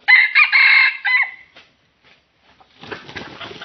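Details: Red junglefowl rooster crowing at a trapping arena on the edge of swampy scrub, reacting to a decoy rooster in a face-off: a loud, harmonic, multi-part crow lasting about a second and a half, followed by quiet and then rustling, crackling noise.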